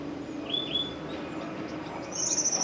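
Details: Two purple-throated euphonias, thought to be females, in a fight; a pair of thin high whistled notes, then after a pause a very high, fast buzzy trill near the end, over faint background hiss.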